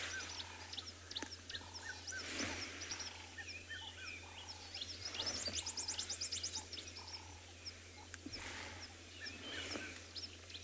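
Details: A red-chested cuckoo calls in the background during a morning safari in a South African game reserve on 15 October 2020: a steady run of clear whistled notes in short falling groups, over other birds and an engine hum.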